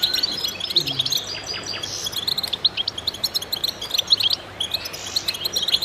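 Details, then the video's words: Several goldfinches twittering together, quick high chirps and buzzy trills overlapping, plus a faint low murmur early on. "voices a chorus of goldfinches in concert to stimulate birds"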